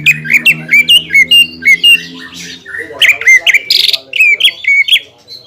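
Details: Song of a greater green leafbird, played to provoke a rival: loud clipped whistles with upward hooks repeated in quick succession, a harsh buzzy squeal midway, and a faint low hum underneath.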